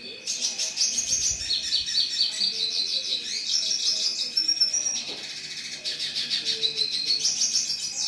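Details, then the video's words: A red siskin sings a fast, continuous twittering song of high buzzy trills and chirps, with a steady high electrical whine and faint soft sounds underneath. "Red Siskin"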